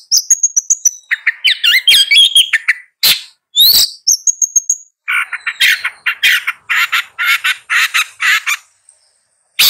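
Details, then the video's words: Long-tailed shrike song: thin high whistles and twittering notes, then a run of rough rasping chatter repeated in quick succession, fading to near silence before a last note. "Long-tailed Shrike Bird Song, Sound, Call, Chirp, Melody"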